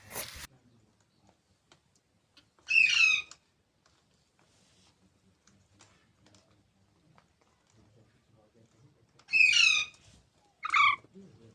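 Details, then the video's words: Baby parrots giving three harsh, raspy squawks with downward-sweeping notes: one early, then two close together near the end, separated by long quiet stretches with faint tapping and clicks. "Baby Parrots Sounds"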